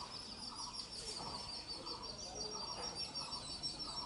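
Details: Indian grey hornbill, a parent feeding its young: soft, rough notes around the middle range repeated about three times a second under a steady high chirping and buzzing background.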